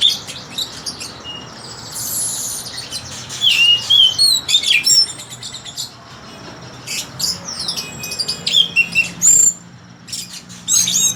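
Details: Melodious song of an orange-headed thrush: scattered phrases of high, clear whistles and slurred notes, some rising, some falling, delivered in bursts separated by short pauses, with quiet low rumble underneath.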